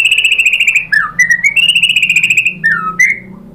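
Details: White-rumped shama song played as a lure to make other shamas sing: a fast, even trill of repeated high notes, broken by a few lower swooping whistles, then another trill and a falling whistle.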